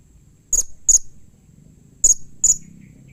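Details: Blue-crowned hanging parrot, call said to draw quick replies from other hanging parrots: two pairs of shrill, very high clipped squeaks, about a second apart, with faint low hum underneath.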